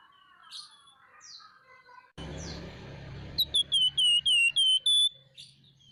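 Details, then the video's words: Scaly-breasted munia (flamboyan), a chattering, actively calling bird used for tutoring and luring others: faint thin whistles, then an abrupt cut to hiss and a fast run of seven loud, clear, downward-sliding whistled notes, ending in softer chirps. "Burung FLAMBOYAN GACOR Nyerecet Cerewet Merepet"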